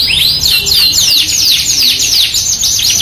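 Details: Yorkshire canary singing hard, used as a canary lure with an AF canary of luxurious cengkok style: a quick series of arched, descending whistled notes, repeated evenly in a bright high run.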